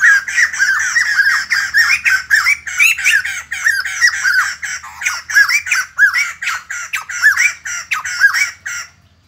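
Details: White-crested laughingthrush, known locally as bồ chao, singing in the morning: a loud, continuous cackling chorus of rapid, rising-and-falling chattering notes that pour out without pause for about nine seconds, ending abruptly.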